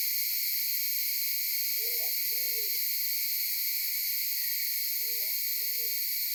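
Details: Maleo recorded by phone on Sarva Island near Kampung Ugar: two pairs of low, hollow hooted notes separated by a pause of about three seconds, with constant loud insect buzzing above.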